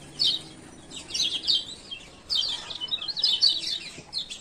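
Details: Male Lemon-bellied White-eye of Lombok, ciak-ciak lure for birds that have stopped singing: separate bursts of high, buzzy chattering chirps, roughly four clusters with short quiet gaps between them.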